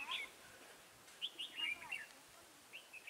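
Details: Decoy red-whiskered bulbul in a trap, singing to draw in rivals on 23 October 2017: short clear whistled notes and rolling, slurred phrases, a loud opening note, then a run of bouncy syllables and two brief closing whistles.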